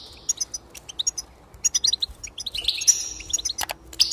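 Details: Goldfinch song meant to spur singing: scattered high chirps and tinkling notes build into a fast twittering, buzzy passage, ending in sharp bright calls.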